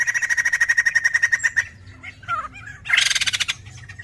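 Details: White-crested laughingthrush singing energetically, used as a lure sound: a rapid pulsing trill that breaks into varied squawky, sliding notes, then a harsh, dense burst of chatter.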